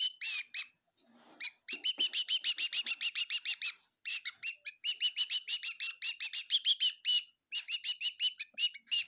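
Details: Rapid chirping from a bird inside a kitchen in Tseminyu, Kohima, delivered in dense runs of bright clipped notes with short silent breaks.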